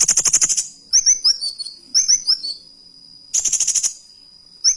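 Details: Kolibri wulung singing in a canary-imitating style, a fast rattled trill followed by short whistled, rising chirps, then another buzzy rattle, over a steady thin high tone.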